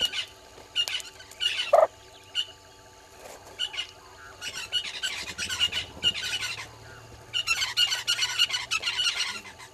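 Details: Southern red-billed hornbills at dawn, 06:08 on 20 March 2022, by Gowrie dam waterhole in Djuma Game Reserve, South Africa. They give quick runs of hard, repeated clucks that swell into a longer, busier chorus toward the end, with one lower squawk.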